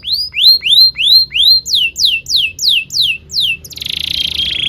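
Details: Canary song for training young canaries: loud rising swept whistles repeated about three times a second, changing to higher sweeps, then ending in a rapid buzzy trill.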